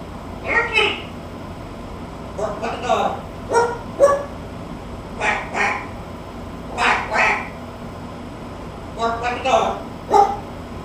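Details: Pet talking macaw mimicking a duck and a dog indoors, acting crazy: a series of short, harsh, nasal quack-like bursts, in single notes and quick pairs or triplets, every one to two seconds, with a person prompting it.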